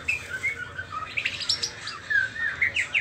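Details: Juvenile white-rumped shama, trotol stage, before the pastol moult, delivers a busy run of short, clear whistled notes. The notes rise and fall and rise into brief squeaky flourishes, with no other sounds prominent.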